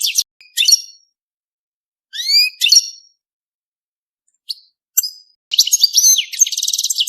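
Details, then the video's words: European goldfinch in a mating context giving scattered rising whistled notes and short chirps, then breaking into rapid twittering song with a buzzy trill at the end. "5 دقائق من تغريد الحسون بدون توقف .تزاوج الحسون"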